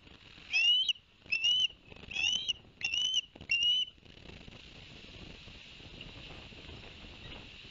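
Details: Barnegat Light, New Jersey ospreys filmed by a live cam on 11 September 2021, after two fish were delivered to the young: five sharp, rising whistled chirps in fast sequence, then a steady hiss of background noise.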